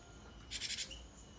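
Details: Gelatik batu, the cinereous tit, whose song is used to prompt cage birds to answer. A very short scratchy chatter of four or five quick pulsed notes, then a faint high note.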